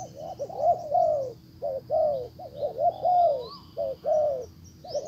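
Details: Spotted dove used as a decoy, calling to lure a wild dove back, which ignores it and leaves; low hoarse coos in short broken phrases with gaps, one thin rising whistle, faint high chirps far behind.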